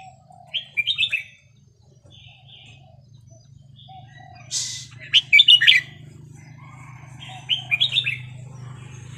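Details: Small caged red-whiskered bulbul of Vietnamese stock, over ten years old, sings its counted-phrase song in three separate bursts of bright, chirpy whistled notes spaced a few seconds apart, over a constant low hum.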